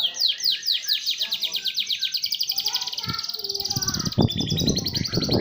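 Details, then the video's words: Atlantic canary imitating a lovebird at fast speed: rapid repeated high chirping notes in a steady pulsing trill, then denser buzzy phrases with background thumps and noise. "kenari suara lovebird speed rapat"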